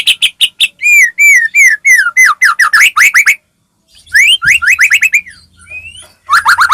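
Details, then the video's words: White-rumped shama singing as a lure to set other shamas singing: rapid repeated chips, a run of slurred falling whistles, a pause, then fast rising whistled notes and a short burst at the end. "murai batu gacor AMPUH buat PANCINGAN murai batu agar bunyi JADIKAN burung murai gacor EMOSI"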